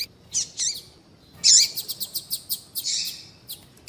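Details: Calling female double-collared seedeater, played to stimulate a male to sing: two short high chirps, then a harsh burst followed by a quick series of ticks and another squeaky note.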